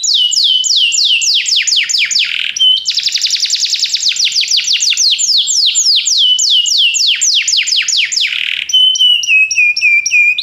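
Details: Belgian canary singing to spark song in other canaries: long sequences of quick descending sweeps broken by a dense buzzy trill, ending in warbling slurred whistles.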